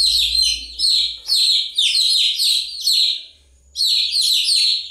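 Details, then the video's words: Shrill falling peeps from many chicks come in close bursts, with a short quieter gap before the chirping resumes. "Continuous Chirping sound of Chicks"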